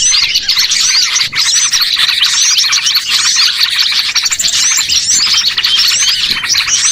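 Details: Lure sound of many small birds meant to attract birds for trapping, a busy wall of high twittering and chirping from numerous callers, with a brief dip near the one-second mark.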